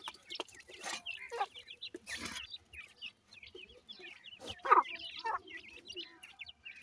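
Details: Several grey francolin (teetar) chicks piping short, high, upslurred chirps in uneven bursts, with a few louder clucking notes and occasional rustling in a quiet background.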